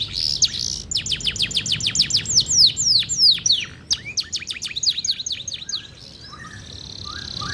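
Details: Kept canary in lively gacor song: a steady run of sharp, down-swept whistled notes repeated several times a second, breaking into varied chirps, then fading to soft lower twitters near the end.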